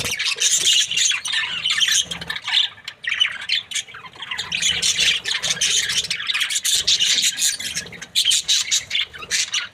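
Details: Loud, nonstop budgerigar chatter from happy birds: harsh buzzy squawks and rapid chirps packed closely together throughout.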